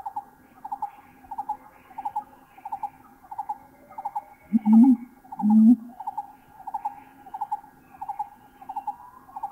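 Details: Mountain imperial pigeon recorded in Thailand gives two deep, rising whoomp notes near the middle, over another bird's steady, higher-pitched notes repeated throughout at roughly one per second.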